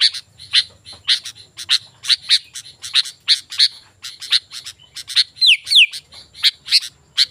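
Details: Energetic sooty-headed bulbul song meant to lure wild bulbuls and train other singers: evenly repeated crisp chirps, then two quick downward-sliding whistles near the end, faint background hum.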